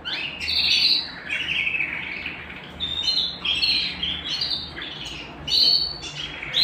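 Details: Domestic canary singing at home: bright, rapid warbled phrases with trills and high whistled notes, pausing briefly between bursts, over a faint low hum.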